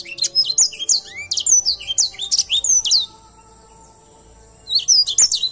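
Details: Grey singing finch, locally called edel sanger, singing a rapid, high run of sweet whistled notes and slurs for three seconds, a pause with a faint steady tone, then another quick burst.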